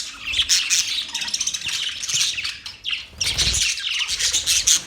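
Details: Budgerigars chirping and chattering in a dense group, with bursts of harsh, buzzy squawks and rapid twittering notes that rise and fall, briefly pausing around the third second before resuming.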